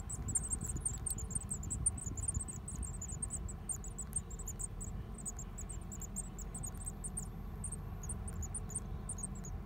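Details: Japanese tits at a nest in a house mailbox on 15 May 2019: a steady stream of very high, thin, squeaky notes, several each second, over a low background rumble.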